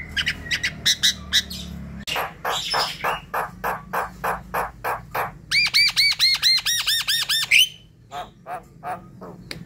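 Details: Javan myna song played to prompt a reluctant bird to call at night: harsh clicks and rasping bursts, then a fast run of repeated arched whistled notes with bright harmonics, ending in a rising squeal.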